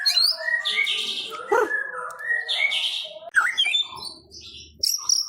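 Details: White-rumped shama song used to spur a kept bird to sing: bright chirps, buzzy bursts and quick slurred whistles in short bouts, with a high clear note near the end.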